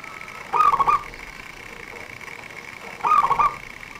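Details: Local zebra dove singing briskly, its song used as a lure by bird trappers: two short bursts of rapid, rolling coos, about half a second each and spaced roughly two and a half seconds apart, over a steady high hum.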